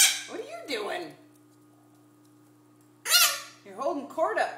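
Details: A Hahn's macaw, a male pet indoors, gives harsh, raspy squawks and speech-like chatter in three short bursts, apparently trying to compete with the TV, over a steady low household hum; red-shouldered macaw.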